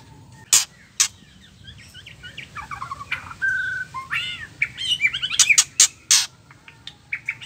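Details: Female white-rumped shama giving ketrekan calls meant to provoke male shamas into full song: loud, harsh, broadband rasping bursts separated by pauses, mixed with soft arched whistles, a short level whistled note and quick trilled phrases.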